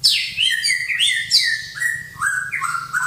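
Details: A white-rumped shama answers a whistle with a rapid string of clear, sweet notes. The phrases slide downward in steps, and a few higher chirps are mixed in, with faint low background noise.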